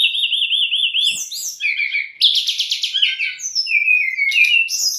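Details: White-rumped shama provocation song for young or stressed birds: opens with a repeated looping whistle about five times, then buzzy trills and bright rising and falling whistles.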